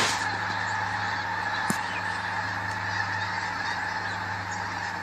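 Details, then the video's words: Snow geese calling during a hunting outing: a dense, steady wash of overlapping honks over a low continuous hum, with one sharp click partway through. "Snow geese"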